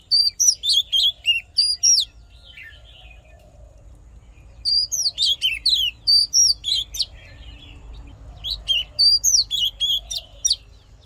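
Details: Oriental magpie-robin fighting song for stirring male birds and voice training, delivered in three bouts of rapid, high, sharp chattering notes, roughly three or four per second, separated by quiet gaps of a few seconds.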